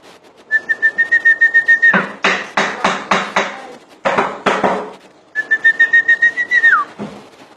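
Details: Common iora giving a long rapid trilled whistle on one pitch, then a burst of sharp percussive clicks, then a second trill ending in a downward slur.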